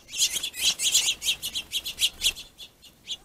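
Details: Finches fighting over a plentiful food source give a rapid run of sharp, high chirps, about four per second, loud at first and then fading toward the end.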